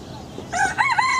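A rooster's crow, cut short: a strained, harmonic-rich cry that rises, then wavers and holds at a high pitch after a brief soft lead-in.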